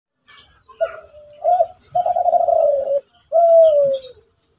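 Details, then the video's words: Zebra dove singing vigorously in the morning in Kelantan: short rolling coos around a low pitch, then a longer burbling trill and a final sliding coo that falls in pitch, with soft chirps in the background. "Derkuku Kelantan Gacorrr pagi hari"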